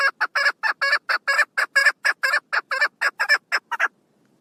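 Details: Loud, rhythmic, rasping chucks from a female chukar partridge on 1 June 2022 run quickly for about four seconds, then stop abruptly into silence.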